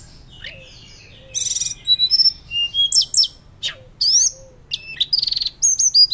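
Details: Loud fluting Hill blue flycatcher song serving as lure and master: a varied chain of whistles, short trills and upward slurs, phrases tumbling into one another almost without pause.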